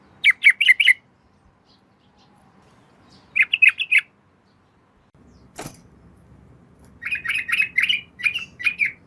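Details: Female yellow-vented bulbul calling the male at night, repeating short bursts of four or five bubbling notes at intervals, with a sharp click midway and a longer, looser run at the end.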